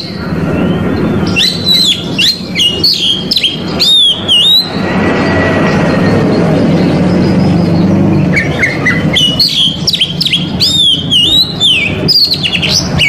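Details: Oriental magpie-robin singing to provoke rival males. Bursts of rapid whistled and chirping phrases at the start and end, separated by a few seconds of near silence over a low hum.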